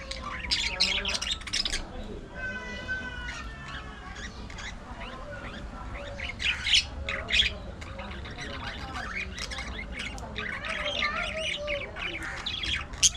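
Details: Budgerigars in an aviary colony: a dense chorus of overlapping chirps, harsh squawks and warbled, harmonic chattering notes, with a run of stacked wavering tones near two seconds and bursts of sharper scratchy calls throughout.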